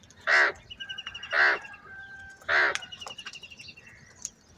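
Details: A large flock of crows quarrelling over food gives three loud, rasping caws about a second apart, with thin whistled calls of other birds behind.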